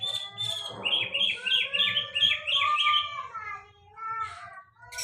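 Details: Cage-bird song, a series of bright whistled notes repeated rapidly, then lower clear whistles, over a low murmur of background voices.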